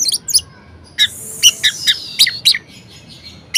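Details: Varied song of a caged orange-headed thrush, aimed at prompting quiet birds to sing: scattered sharp high notes over a thin, sustained whistled tone.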